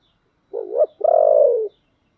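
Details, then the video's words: Spotted dove decoy with a deep, thick 'giọng thổ' voice, used to draw in wild doves, gives one loud low coo phrase: a short wavering note, then a longer sustained throaty coo, in a quiet setting. "cu gáy giọng thổ đặc/ tieng cu gay kich boi nhanh noi"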